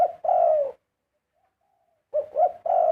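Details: Spotted dove with a beautiful 'karom' song. A long falling coo ends one phrase. After about a second and a half of quiet, a new phrase of clipped coos leads into a sustained final coo.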